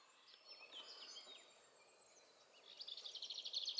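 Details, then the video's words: In the Eifel near Dohr, Germany, a common firecrest sings very high, thin notes that speed into a rapid accelerating trill near the end, over faint background hiss; firecrest. "Common firecrest singing. Sommergoldhähnchen singt."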